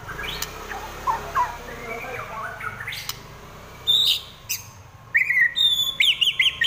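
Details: White-rumped shama, kept by a bird-keeping hobbyist, singing in fighting mode with trotol, a rapid varied delivery. Faint scattered notes give way to loud clear whistles and sharp rising phrases in the last three seconds, over a steady low hum.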